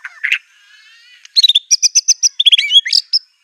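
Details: Murai batu, the white-rumped shama, singing aggressively with borrowed canary, cililin, cungkok and lovebird material: a harsh buzzy burst, a faint wavering whistle, then a crisp run of evenly spaced high chips and quick varied notes.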